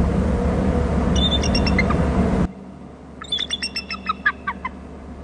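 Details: Bald eagles at a Hornby Island nest territory, a third eagle arriving with lots of calling; a short chittering series, then after noisy wind a clearer run of high, rapid piping notes.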